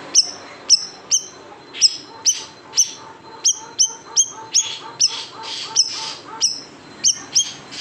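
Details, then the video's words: Siri-siri bird, large type, singing 'tembakan pedas' as a tutoring track for cage birds: crisp high flicked chirps about every half second, with a thin steady mid-pitched whistle running under part of the sequence. "SIRI SIRI BESAR TEMBAKAN PEDAS | MASTERAN BURUNG KICAU"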